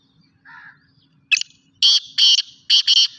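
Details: Sindhi black francolin, locally called kala teetar: a soft low note, then a sharp opening note and four loud, rasping, buzzy notes in two quick pairs, delivered in under two seconds against a quiet background.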